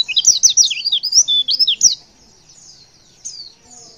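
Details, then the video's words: Female white-eye in breeding condition calling males: a loud, quick string of high, twisting chirps and slurred whistles for about two seconds, then a pause and one fainter downward note. "Suara CALL PLECI BETINA Super Lenjeh BIKIN Pleci Jenis Apapun Cepat Respon & gacor"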